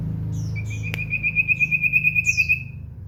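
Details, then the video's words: Common iora kept as a home bird, singing actively: a long, even trill of rapid, high whistled notes, about six per second for nearly two seconds, with a few thin downslurred notes above and a low steady hum beneath. "burung cipow / sirtu gacor"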